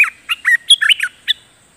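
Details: A Streak-eared Bulbul, a wild bird recorded 28 July 2021 as a decoy call, gives a quick run of about six bubbly, slurred chirps, rising and falling in pitch, then stops; nothing else is heard.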